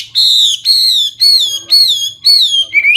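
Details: Hwamei delivering loud, clear, long whistled notes, each slightly falling, repeated about every half second, ending in a short rising phrase.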